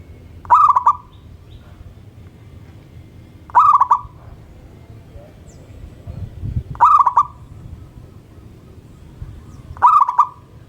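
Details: Zebra dove, local strain, in vigorous morning song that draws others to sing: four short phrases of stuttered, bubbling coos, spaced about three seconds apart, over steady low background noise.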